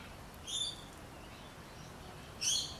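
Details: Two shrill, grating screeches from a rainbow lorikeet in backyard trees in the city of Adelaide, about two seconds apart, high-pitched and harsh, with a faint background hiss.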